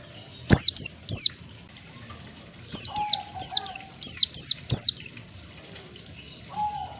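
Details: White-eye (pleci) lure recording for caged white-eyes, aimed at ngalas singing. A run of rapid, high, downslurred whistles comes in quick succession, with a softer, lower, flat whistle underneath and again at the end.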